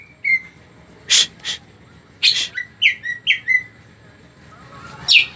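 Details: Greater green leafbird song used as a lure for other birds: scattered phrases of harsh chirps and short downslurred whistles, separated by brief gaps, with a faint steady hum underneath.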